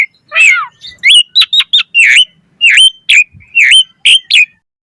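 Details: Asian pied starling giving quick, varied song for a lure recording: a raspy slur, then spaced bright whistled notes and short downward chips, about two a second.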